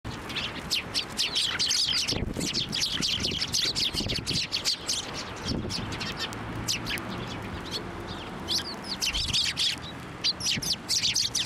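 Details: Sparrows flocking onto a hand to be fed at Tenmangu shrine on 18 March 2024: dense, overlapping high chirps from many birds, about four per second, with low rumbling and handling noise underneath.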